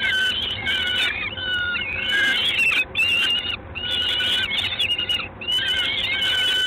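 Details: Peregrine falcon, Gdańsk, Poland, 3 June 2016 at 19:47: choppy, nasal, harmonic calls in short blocks of roughly half a second, repeated with small pauses, some notes bending downward.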